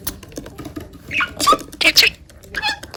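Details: Pet budgerigar, described as always calling its mother (owner), giving short squeaky chirps and warbled bursts, loudest near the middle, with a final softer burst near the end, over faint tapping noise indoors.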